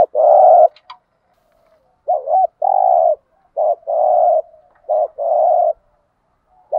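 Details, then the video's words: Local field-type spotted doves, male and female, cooing to provoke and agitate wild males as a lure. Low, mellow coos: short wavering double notes followed by long steady hoots, repeated in quick succession. "tiếng cu gáy thổ đồng thúc gù bài bản"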